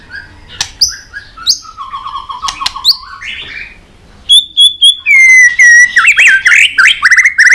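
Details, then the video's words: A white-rumped shama sings a varied, many-voiced long song while flicking its tail on a perch. A jumble of sharp chirps and buzzy trills leads into loud, rapid whistled phrases that swoop up and down. "chòe lửa hót giọng dây dài.đập đuôi sàn cầu đảo giọng kích thích căng lửa chòe lửa hót nhiều giọng"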